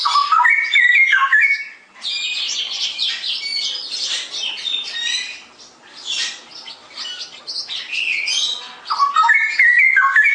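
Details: Straw-headed bulbul singing in full, lively 'gacor' form in the 'ngerople' style: loud liquid warbled phrases rising and falling at the start and near the end, with dense, high, scratchy chattering twitters filling the gaps between them.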